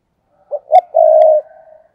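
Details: Spotted dove cooing as a decoy lure for catching wild doves; two brief notes followed by a sustained level coo and a faint trailing tail, recorded close in a quiet setting.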